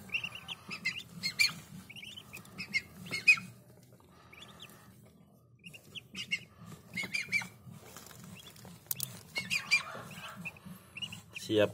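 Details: Freshly hatched Muscovy ducklings raised on a farm give high, thin chirping peeps in irregular clusters, several overlapping, with short pauses between flurries over a steady low mechanical hum.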